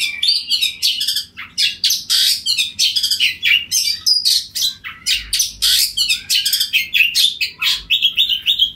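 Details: Kacer or oriental magpie-robin delivering 'ngeplong' song to provoke a rival into replying; fast continuous series of harsh buzzy notes, chirps and slurred whistles, loud and unbroken.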